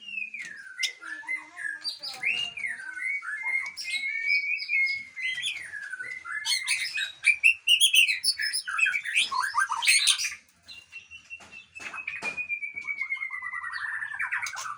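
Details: White-rumped shama from a breeding aviary, singing a long varied song of rich whistled phrases, sliding notes and rapid chattering bursts, ending with a long drawn, gently falling whistle.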